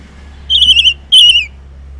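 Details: Orange-headed thrush in the morning, sound used as a lure for silent males: two loud, clear whistled notes, each slurring downward with a wavering quality, separated by a short gap.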